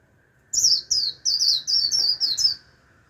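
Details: Lure Japanese white-eye singing to draw in a wild flock, giving seven bright, high downward-slurred whistles in rapid series over a faint steady hum.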